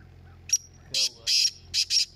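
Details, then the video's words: Black francolin in a calling contest, giving one rasping phrase of about five scratchy notes, the middle ones longer and louder, with a faint low hum behind. "Kala teetar ki awaz ka Muqabla"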